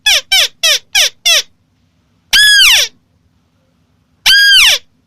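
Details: White-browed crake: five quick nasal notes, then two long harsh squeals sliding downward, separated by silence.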